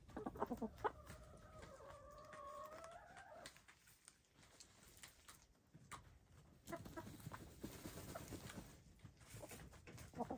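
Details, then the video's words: Hens, gray, lavender, blue and black, dust bathing and throwing dirt, give a drawn-out harmonic crooning note lasting over two seconds, followed by scratchy scuffling of dirt and a few soft clucks. "Silly Hens Make Super Sweet Noises While Taking a Dust Bath"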